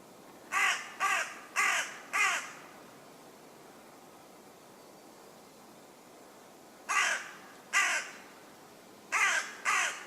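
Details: Common raven croaking from a tree in a forest in West Sussex, England: harsh, hoarse caws in a run of four roughly half a second apart, then after a pause two more pairs, against a quiet background.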